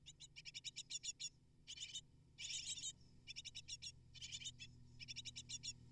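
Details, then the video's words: Eight hungry great tit nestlings calling as their parents bring food; rapid trains of sharp high chirps in bursts of about a second, separated by brief silences, low background hum throughout. "Amazing Great Tit Parents Deliver 12 Prey To 8 Hungry Nestlings In Just 12 Minutes!"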